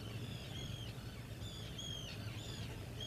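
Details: Thin high whistles from a black guillemot at the breeding burrow, each short note sliding slightly, repeated about every half second, faint against a constant low background rumble.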